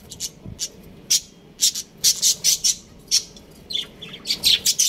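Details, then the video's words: Pet budgerigar breeding pair chirping: sharp, high, clipped tweets in quick clusters, some paired, others in runs of four or five, against a quiet room. "Adorable Budgies Chirping Sounds"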